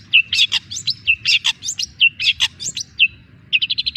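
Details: Young long-tailed shrike (cendet) singing a varied, hurried phrase of whistled slurs and scratchy notes, repeated, ending in a fast run of five short chips.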